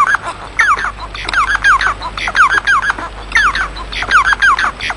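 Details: Bengalese finch, called moano in Arabic, singing a repeated phrase of short downward-sweeping squeaky notes mixed with harsh buzzy bursts, the phrase recurring every second or so, over a steady electrical hum.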